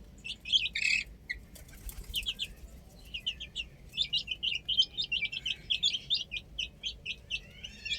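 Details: Chicks playing on a rooftop: a loud scuffle at the start, then a dense run of quick, bright, repeated peeps from several birds.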